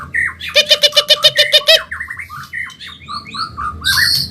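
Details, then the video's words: White-rumped shama of the Medan type, a fast, lively training recording for caged birds: a rapid burst of about ten rattling, harmonic notes, then varied slurred whistles rising and falling, ending in high bright phrases. "Masteran burung murai Medan"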